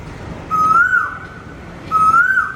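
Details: Asian koel from Vizag singing: two clear whistled notes, each rising then dipping, about 1.4 seconds apart, over a steady hiss of background noise.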